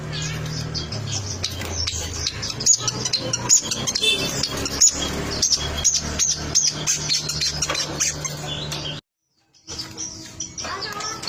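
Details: Long-tailed shrike in a lively, chattering song: a dense stream of high chirps and scratchy notes with little pause, over a low droning hum and faint music, then a brief silence before the song resumes.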